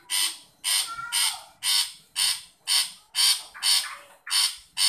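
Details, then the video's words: Long-tailed shrike calling for a shy shrike: regular, rough, nasal rasps about twice a second, each swelling then fading, with a faint low rumble beneath. "Burung pentet memanggil untuk pentet yang malu bunyi"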